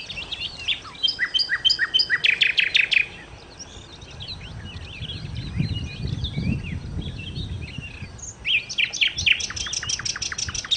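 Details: Nightingale (sikatan londo) song opening with quick rhythmic chips and whistles, a quieter stretch of soft twitters over a low rumbling background, then another run of rapid repeated notes.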